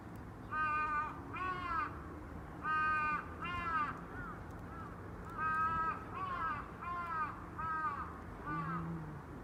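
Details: Crow giving a long series of harsh caws, often in close pairs, about a dozen calls with short pauses between bursts, over faint low background noise.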